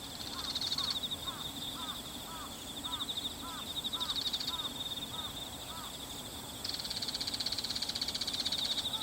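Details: Bull-headed shrike, one individual of uncertain sex, recorded 22 September 2015 on a Canon PowerShot SX60 HS with external mic, not giving its high display call: a series of about twelve short arched notes, roughly three per second, over a steady high insect trill.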